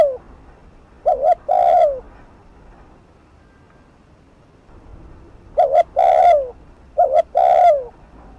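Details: Spotted dove, cu gáy, in fast thúc gù cooing used to provoke a rival at a decoy: a wavering coo and a long falling coo, then a silent gap of about three seconds before two more phrases.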